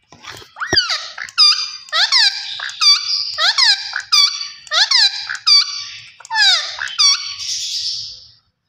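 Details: Green ringneck parrot chattering a long string of squeaky, speech-like syllables, roughly one per second, each a sharp nasal note with downward slides. It ends in a drawn-out hoarse squeal.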